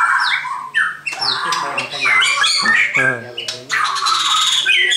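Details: White-crowned shama singing a loud, varied run of harsh squawks, chattering bursts and short slurred whistles packed closely together, with a steady low hum underneath.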